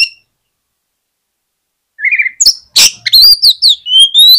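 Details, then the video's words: Silence, then an Oriental magpie-robin bursts into song to prompt lazy birds to reply: a short buzzy trill, a harsh rasp, then quick bright whistled slurs repeated in rapid succession. "KACER MALAS BUNYI JADI IKUT NYAUT DAN GAMPANG RESPON DENGAR SUARA KACER INI"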